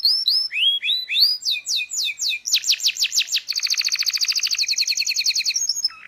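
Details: Local canary in full ngerol song as a training recording: paired upward-sweeping whistles speeding into a long rapid rattling trill, closing with a short buzzy note.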